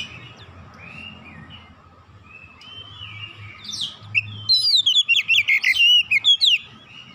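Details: Oriental magpie-robin tutor recording for young kacer: soft, quiet warbling at first, then a loud two-second burst of quick, sharp, varied whistles and chirps repeated in rapid succession, over a faint low hum.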